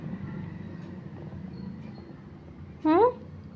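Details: Pet green parrot with a low Hindi voice murmuring in a small indoor room. Near the end the bird gives a single loud, brief, upward-sweeping squawky note.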